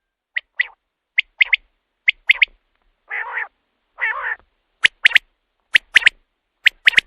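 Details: Common quail calls used at night to lure quail for hunting: sharp three-note phrases, one note then a quick pair, repeated about once a second, broken midway by two longer nasal, buzzy calls.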